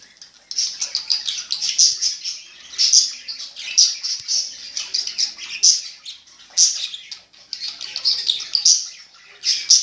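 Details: Budgerigars, newly bought, chattering continuously in a high, busy warble of chirps and squeaks, with louder bursts roughly every second and no break across the whole stretch.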